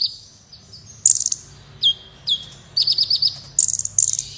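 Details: Kolibri wulung sunbird in full song, used to tutor competition birds: high sharp chirps, downward-sweeping notes, then a fast run of four evenly spaced ticking notes and two dense buzzy bursts, over a faint low background hum.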